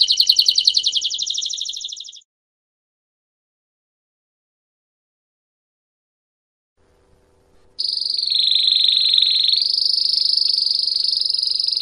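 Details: Canary singing a long song called campainha, used for training and teaching young birds: a fast buzzy high trill, a silent gap of about five seconds, then a sustained rapid rolling trill that dips slightly in pitch.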